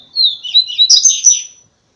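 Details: Double-collared seedeater giving a first-quality song: a quick phrase of clear high whistled notes, sliding down then up, ending in a buzzy warbled flourish, all within about one and a half seconds in a quiet setting.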